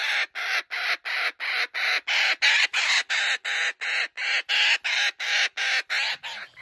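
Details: Racing off with a joey's toy he refuses to give up, a male laughing kookaburra at a wildlife sanctuary gives a sustained, regular rattle of loud, grating cackles, trailing off at the end.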